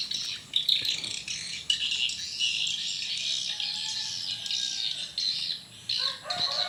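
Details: Swiftlets at a small swiftlet house in the evening give a steady mass of thin, high chattering calls, with a faint lower whistled tone running through the middle.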